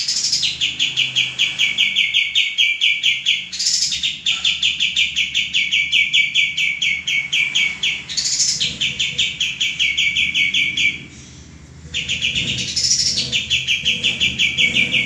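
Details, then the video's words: Lively male common iora used for training cage birds sings long bouts of fast, high repeated chip notes, each bout broken by a brief upward-swept note, with one short pause near the end. "suara burung kapas tembak jantan gacor"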